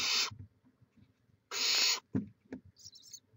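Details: Barn owl at a nest on a live cam in Chula Vista, California, 18 May 2017: two harsh, broadband raspy hisses about half a second long, with faint rustling and thumps between them.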